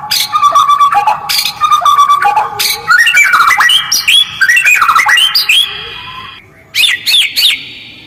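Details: White-rumped shama calling roughly and quickly, with short gaps, to draw a response from other birds: harsh squawky bursts mixed with clear whistles and rising-falling slurred notes, delivered in dense phrases with one brief pause.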